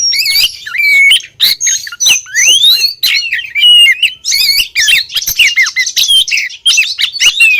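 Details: Lure recording of a female Oriental magpie-robin calling the male: fast varied medley of whistles, chatters and harsh notes, including a long rising whistled slide and dense trilled passages.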